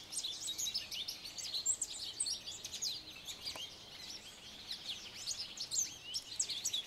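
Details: Male American goldfinch singing from atop a branch: a continuous, lively run of high, thin twittering chirps and short slurred notes, varied and rapid throughout, over faint background hiss.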